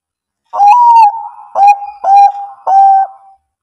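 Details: Bangkok-type zebra dove singing its cooing bekur song, meant to prompt reluctant birds to answer and sing. Four mellow, level coos at a steady mid pitch: a long first note, then three shorter ones in quick succession, against a silent background.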